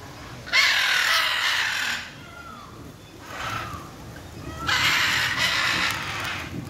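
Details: Loud, grating macaw squawks in three broad bursts, the middle one softer, with human speech in the background.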